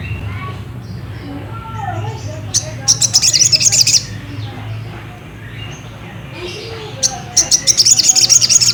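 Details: Lure song of a ruby-cheeked sunbird to provoke another into singing: two tight bursts of very high, rapid, sparkling trills about four seconds apart, with soft scattered lower sounds between them.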